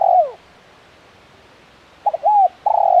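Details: Spotted dove, a calling tekukur kept for bird-luring: low cooing notes, one falling coo at the start, then after a pause a short double note and two longer level coos.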